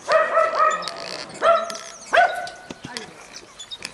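Finches give nasal, buzzy calls: a quick pair, then two more spaced about a second apart, followed by soft clicks and rustles from the aviary.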